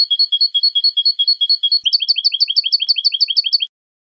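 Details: Clean European goldfinch song recorded in 2015 to teach young goldfinches. A level, metallic double-toned note repeats rapidly for nearly two seconds, then changes into a quicker series of twisting, buzzy chirps. It cuts off cleanly.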